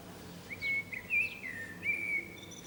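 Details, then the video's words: Blackbird singing on a rooftop antenna in the town centre of San Martín, Zamudio, Txorierri, Bizkaia, April 2019; one clear phrase of smooth fluted whistles, dipping and rising, closing on a drawn-out note over quiet hiss. "ZOZOA ANTENAN ABESTEN / Turdus merula _2019.04.18_ (Mirlo común cantando en la antena _)_"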